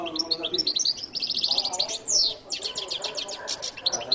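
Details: Goldfinch delivering an energetic song of rapid high chirps, a long buzzy trill, a sharp downslurred whistle and repeated rattling phrases.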